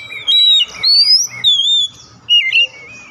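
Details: Oriental magpie-robin song for coaxing a non-singing bird into song. Long, pure whistled notes rise and fall smoothly and come in four separate phrases with brief gaps between them.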